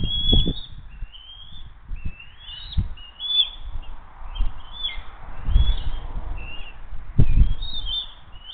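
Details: Hays bald eagle family at dinner time, June 22, 2023: a sequence of sharp, high chirping notes with slurred endings, irregularly spaced, with occasional dull low thumps and bumps beneath.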